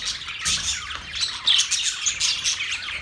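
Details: Budgerigars chirping together, a busy wash of bright, rapid warbles and squeaky notes with brief louder bursts around the middle.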